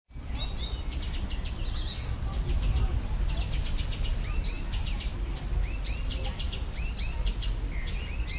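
Icterine warbler singing a fast, varied jumble of high chirps, harsh notes and repeated whistled phrases, over a steady low rumble of background noise.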